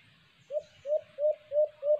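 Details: White-eared brown dove, locally called alimokon, recorded during cage-trap bird hunting: five soft, low hollow coos, evenly spaced at about three per second, with faint background rustle.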